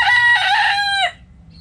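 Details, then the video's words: Backyard rooster among dust-bathing hens gives the end of a crow: a loud, strained, harmonic note held about one second, then sliding down and cutting off abruptly, leaving quiet hum. "Chicken Noise Sound Roosters Crowing Hens Clucking!"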